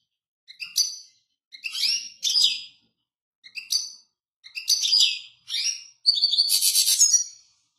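A European goldfinch sings bright, tinkling twitters and buzzy trills in quick bursts, ending in a rapid liquid rattle; nothing else is heard.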